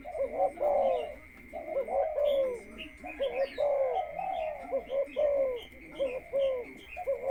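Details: Captive spotted dove decoy, conditioned ahead of breeding, gives repeated gurgling coo phrases, each ending in a drawn-out falling note, with small bird chirps and a steady electronic-like whine.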